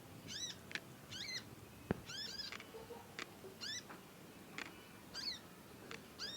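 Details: Young conin learning to sing, with long, eager chirping, used as a master track. Crisp, bending high notes come in quick pairs, mixed with a few sharp clicks against soft background hiss.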